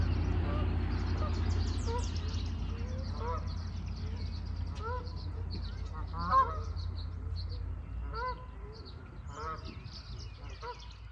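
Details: Canada geese in a marsh and wetland with a beaver dam in Cuyahoga Valley National Park, Ohio: scattered nasal honks, some doubled, over low wind rumble, other birds faintly calling.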